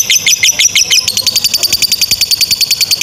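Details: Long ngekek song of a lovebird, used for tutoring young or non-singing lovebirds; shrill, fast-pulsed chattering, first uneven and squeaky, then settling into a steady machine-gun run of high notes.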